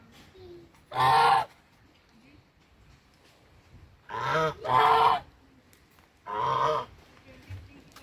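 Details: Farmed brown Chinese geese waiting to be fed let out four brassy honks: one single, then a quick double, then another single after a pause.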